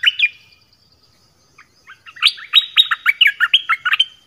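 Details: Dok taeng songbird singing many song phrases: two opening chirps, a quiet gap, then a dense chattering run of sharp, varied high notes.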